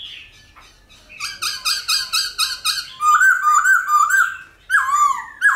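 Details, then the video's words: A black-throated laughingthrush sings a rich, varied wild-type song: a run of rapid buzzy notes, then loud rolling whistled phrases that rise and fall. "Khướu Hót giọng GIÀ RỪNG - GIỌNG HAY - NHIỀU GIỌNG kích khướu bổi. luyện khướu bổi hót căng lửa"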